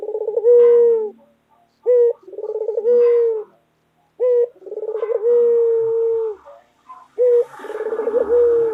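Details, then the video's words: Repeated loud coos from a white pet collared dove: each call has a short opening note, a fast rolled trill and a prolonged steady note, with faint rustling near the end. "Puter Lokal Gacor Suara Keras | Pesona Suara Kicau Burung Puter Putih Gacor Dor Yang Menawan"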